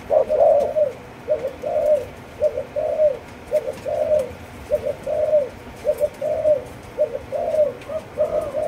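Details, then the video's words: Four-month-old Malaysian-line spotted dove cooing in a steady series of short, soft, low hooting phrases, each a quick paired coo, repeated about once a second over faint background noise. "Cu Gáy Malaysia Dòng Chiêu Gù Chạy 4 Tháng Tuổi"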